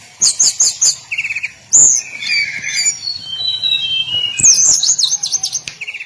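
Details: Hill blue flycatcher in daily song: rapid chattering bursts alternating with long level whistles and a row of slurred notes descending in steps, plus a few clicks.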